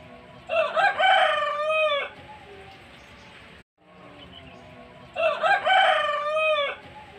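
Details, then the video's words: Rooster crowing in the rain: two loud, harmonically rich cock-a-doodle-doo crows about four seconds apart, each with a few stuttering opening notes and a long sustained falling tail, over steady background hiss. "The rooster crows in the rain"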